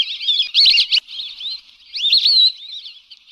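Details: Lesser whistling duck calls used as a hunting lure: bursts of thin, high, wavering whistles, some rising then falling, in two clusters with a brief gap between them.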